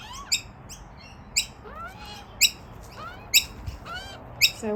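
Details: Two young Australian magpies, brought over by their parents and squabbling as siblings, beg for food as rain starts: harsh, high squawks about once a second, mixed with short rising and falling whistled notes.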